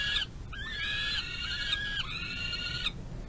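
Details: Peregrine falcon young in a nest box area being fed by the adult female, 25 May 2022. Long, drawn-out harsh wails, one lasting more than a second, pitch wavering slightly, over constant low rumble.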